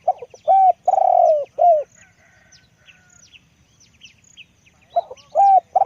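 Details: Deep-voiced decoy spotted dove coos one full phrase: short soft notes, a drawn-out quavering croo, then a falling coo. A pause follows, filled with faint small-bird chirps, before the next phrase begins.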